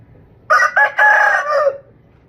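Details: A single rooster crows once, a call given to mark territory and signal dominance over other roosters; two quick rising syllables lead into a long, strong drawn-out note that drops away in pitch.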